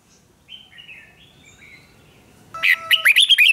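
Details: Red-whiskered bulbul singing a duel to excite wild-caught birds: soft thin whistles from a distance, then a loud close phrase of rapid warbled notes rising and falling.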